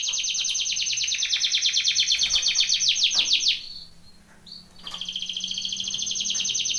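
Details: Training song of a canary, a loud rapid rolling trill for about three seconds, a short quiet gap with a single whistled note, then another sustained fast trill.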